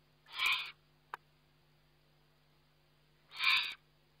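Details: Eurasian eagle-owl at feeding time, filmed by a webcam on 29 May 2011: two harsh, rasping hiss bursts about three seconds apart, each roughly half a second long, with a single sharp click between them and a steady low hum underneath.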